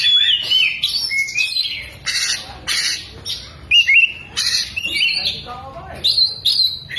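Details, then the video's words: Tail-spreading Oriental magpie-robin in full frenzied song, mixing in imitated lovebird notes: harsh squawks alternate with clear rising and falling whistles, bursts packed closely over seven seconds. "BURUNG KACER BUKA EKOR SAMBIL NEMBAK" | ISIAN LOVEBIRD KACER"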